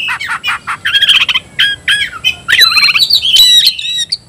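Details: Kacer, the Oriental magpie-robin, calling a rival to fight: quick harsh chips giving way to clear whistled notes that climb higher near the end, sung loudly and continuously.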